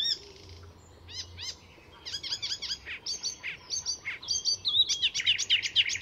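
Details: Icterine warbler singing at Fysingen reserve north of Stockholm, Sweden; a master mimic weaving other species' calls into its song. Varied high phrases: repeated hooked notes, buzzy chatters, then a rapid run of sharp rising notes.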